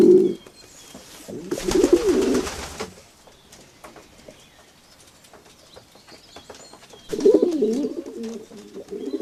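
Pigeons give low, throaty, rolling coos in three bursts, with a brief rush of broadband noise, possibly wingbeats, partway through.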